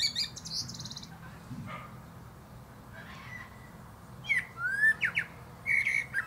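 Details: Common Blackbird (Turdus merula) singing atop a plum tree: a high thin twitter opens, then after a quiet pause come fluty sliding whistled phrases and squeaky twittering flourishes in short bursts, over a faint low background rumble.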